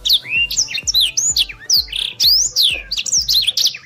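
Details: Black-throated Canary song in fast, tight gacor style, used as a training master for contest birds: rapid high whistled slurs and chirps, rising and falling, in quick bursts about every quarter second, with a faint low hum beneath.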